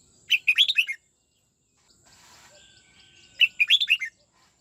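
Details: Red-whiskered bulbul in song training, '89 twisting' style: two bright warbled phrases of five or six quick rolling whistles about three seconds apart, with a faint hiss and a thin whistle in between.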